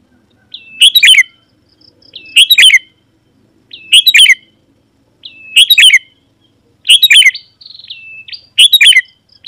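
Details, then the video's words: Sooty-headed bulbul used to call wild birds of its kind: six bright phrases, each a brief whistle running into a bubbly chirp cluster, repeated about every one and a half seconds, with one longer whistle. "Suara Burung KUTILANG GACOR Memanggil Lawan Burung Kutilang Liar Auto Nyaut dan Mendekat"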